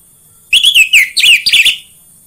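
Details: Orange-headed thrush song played as a lure to get kept birds singing readily: about a second of loud, clear, warbled whistles, the phrases sliding up and down and run together, then silence over faint steady hiss.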